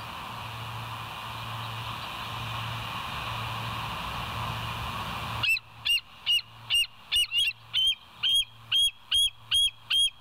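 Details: Morning recording from a live nest cam at the West End, 26 September 2023, 07:01: a bald eagle breaks over constant background hiss with a rapid series of about eleven shrill, high, squeaky piping notes, roughly two per second.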